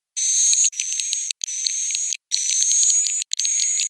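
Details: Swiftlet roosting call: dense, high twittering with a thin steady whistle running through it, delivered in four long bursts broken by brief silences.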